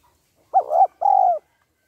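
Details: A female spotted dove calls to stimulate the male: one clean two-part coo, a rising hooked note sliding into a throaty coo, then a longer steady coo falling slightly at the end, in silence.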